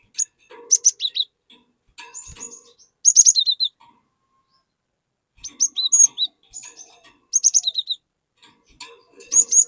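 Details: A cinereous tit singing to prompt an untrained bird to join in: repeated phrases of bright high whistles falling to lower chips, with pauses of a second or more and faint chatter between.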